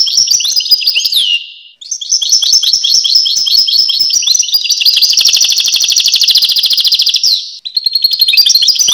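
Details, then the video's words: Long, lively European goldfinch song: fast tinkling notes, a down-slurred whistle, then an extended dense buzzy trill before another brief twittering phrase. "Goldfinch (Carduelis Carduelis) Songs"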